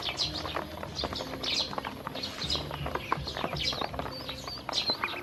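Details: Hungry baby domestic ducklings being taken to feed and drinking water, giving dense, high, chirping peeps that overlap continuously, with soft clattering and low background noise underneath.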